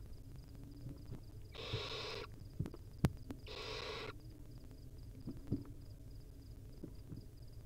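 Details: Wild baby barn owl, filmed on a nest cam while swallowing a whole mouse, gives two harsh, broad hissing bursts about half a second each, separated by a brief pause, over low background rumble and faint clicks.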